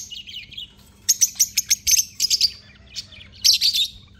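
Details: Blue, Fischer's and black-masked lovebirds sharing one cage, three birds producing rapid runs of sharp, piercing chirps in quick succession, a brief pause, then another tight cluster of shrill notes over a low background hum.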